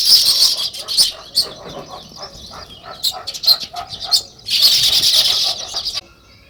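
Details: Sparrows chirping in a natural setting, a dense flock chatter of high, rapid chirps in bursts, loud at the start and again near the fifth second, then quieting.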